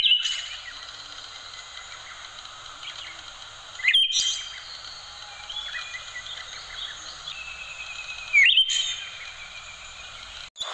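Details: Orange-headed thrush in continuous, rich, high warbling song full of varied twittering phrases, with loud sharp whistled notes bursting out about every four seconds; recording used as a master song for training other songbirds.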